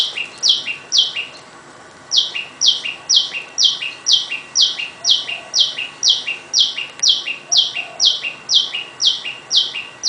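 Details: Small tailorbird giving loud daytime calls around a garden with many of its kind; a rapid series of high, stepped downward notes about twice per second, with a short pause early on.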